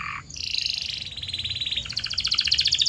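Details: Canary training song meant to stimulate singing: a short low note, then fast rolling trills that shift pitch and speed into a rapid high chatter, steady and continuous throughout.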